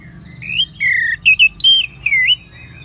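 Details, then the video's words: Orange-headed thrush from North Bali singing, used to coax other birds into song: a continuous run of rich, fluting whistles that rise and fall, with short breaks between notes. "ANIS MERAH SAUARANYA MANTAP 99% SEBAGAI MASTERAN DAN PANCINGAN BURUNG NGEPLONG"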